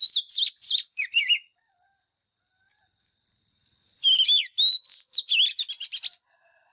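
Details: A decoy White-rumped shama sings rich, fluid whistled phrases with sharp slurred notes and rapid chattering flourishes, two bursts separated by a pause, with a steady high whine running underneath.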